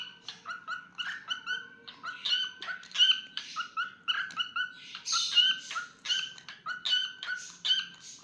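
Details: Pet cockatiel singing a quick, chattering run of short harmonic notes, each stacked and whistled, with occasional brighter squeaky peaks and brief buzzy bursts, delivered in uneven rhythm about once per second.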